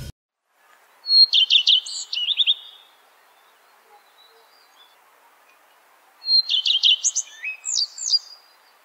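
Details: Common Redstart song: two phrases about five seconds apart, each opening with a clear drawn-out whistle, then quick repeated notes and a varied, jangling ending, high-pitched over faint background hiss.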